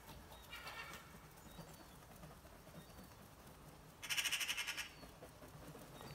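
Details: Seagulls at six o'clock. A faint yelping call comes near the start. Close to four seconds a louder burst of rapid, harsh, pulsed notes follows, all over steady background hiss.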